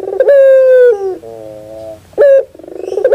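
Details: Collared dove, the puter bird, giving a strong drawn-out coo that slides slightly downward, then a quieter buzzy purr and a short sharp opening note of the next phrase.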